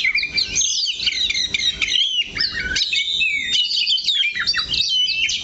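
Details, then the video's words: Oriental magpie-robin (kacer) singing from a single perch, holding one spot: a fast, varied stream of high whistles, sweeps and chirps, with quick rising and falling phrases packed tightly together and few pauses. "KACER THE LOCO NANCAP 1 TITIK"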